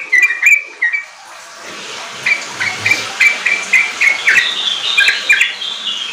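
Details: Singing Sooty-headed bulbul kept as a cage bird, played to coax untrained bulbuls into 'riwik' and rapid 'ropel' song: a few whistled notes, a pause with low rumbling noise, then a steady run of short clear whistles.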